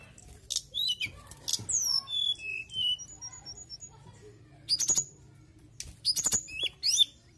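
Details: Vigorous mountain tailorbird song: sweeping downward whistles, then a quick series of evenly spaced high notes, followed by bursts of sharp chattering and clicks.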